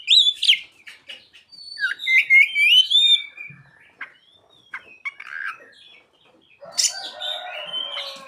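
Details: Oriental magpie-robin with mimicked ciblek and sogon phrases: loud varied chirps and rising looped whistles, then quieter thin notes and a harsh, buzzy, broad rasping phrase toward the end.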